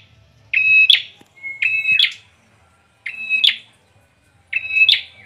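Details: Bar-winged prinia (ciblek) giving four evenly spaced phrases, each a piercing flat whistle that breaks into a loud buzzy burst, with silence between them.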